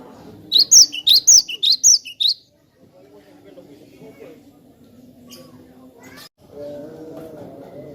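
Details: Energetic cinereous tit song made for tutoring other birds: a rapid string of about seven piercing high notes, then near silence with soft clicks and faint low murmuring afterward.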